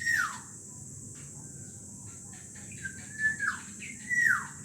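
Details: Two black-naped orioles: harsh, nasal downslurred notes, one at the start, then a quick pair and another near the end, over a steady high hiss.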